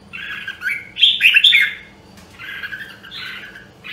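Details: Red-whiskered bulbul of the Nam Đông Huế line in voice training: short bursts of slurred, whistled and slightly harsh notes, a louder ringing phrase in the middle, then softer chattering notes.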